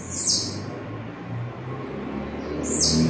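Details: Singing blue-black grassquit gives two short, high, buzzy 'tziu' notes about two and a half seconds apart, with a thin high whine between them and a low room hum.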